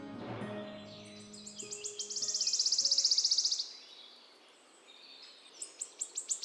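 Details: Wood warbler song recorded in Poland, where it breeds; it shuns human presence, unlike chiffchaff or willow warbler. High ticking notes speed up into a shivering, silvery trill lasting over a second, then a new phrase begins; a man's voice at the start.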